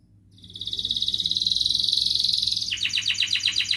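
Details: Singing canary used as a training lure for lazy canaries, with ngerek, mbarong, cuit-cuit and ngerol song styles. A sustained, steady, buzzing roll builds up and runs for two seconds. It then breaks into quick, repeated, downward-sweeping trill notes.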